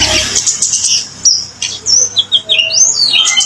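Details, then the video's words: Kemade, the orange-headed thrush, in lure song: a scratchy opening followed by clear slurred whistles and upward-sweeping notes, each phrase short and separate, with soft lower chips between. "Suara burung kemade sekali denger burung macet pun akan nyaut"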